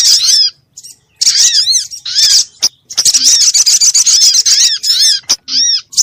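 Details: Sunbird lure call used to provoke birds into calling and draw them to birdlime: rapid bursts of high, arched chirping notes with a ringing, chattering quality, separated by short silent gaps.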